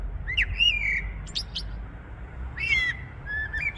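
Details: Starling perched in a tree on 6 February 2023, singing as if spring had already arrived, recorded on a smartphone: slurred whistled notes wavering high, with sharp clicks between phrases over a low steady rumble.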